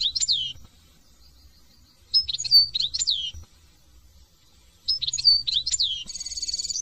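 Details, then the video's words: French European goldfinch delivering short separate phrases of a few bright, liquid, slurred twitters spaced by pauses, closing with a dry buzzy trill. "chant de chardon"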